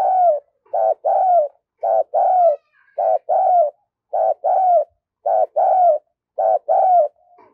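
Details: Caged decoy spotted dove calling energetically in 'thúc' and 'gù' styles: steady, evenly spaced series of low hollow coos, each phrase a short note followed by a longer slurred one, repeated about once a second.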